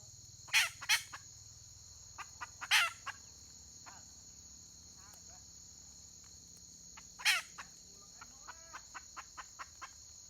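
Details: Red junglefowl hen recorded on 31 May 2023, giving harsh, raspy bursts in pairs and singles, with faint quick clucks between, over a loud, steady, high insect drone.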